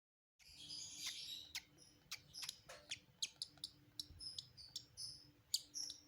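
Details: Red-eyed lovebird chicks being fed, giving quiet, high, scratchy chirps and squeaks in quick irregular bursts, roughly two or three a second, over a soft low background hum.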